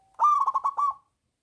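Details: Local zebra dove (perkutut lokal) with a big voice, singing to lure lazy doves into song: a rapid run of fluttering cooing notes near one pitch lasting under a second, ending in a soft trill.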